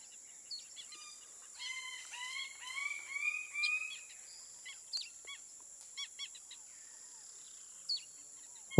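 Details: Greater bird-of-paradise in West Papuan forest, where males display to females during courtship: a burst of loud, rising, nasal notes repeated in quick series for a few seconds, then scattered sharp calls, over a steady high insect drone.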